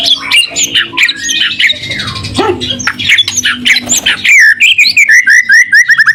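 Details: White-rumped shama, sung to stir other shamas into answering: rough scratchy chatter and squawky notes, then a clean series of clear whistled notes repeated rapidly and dropping slightly in pitch.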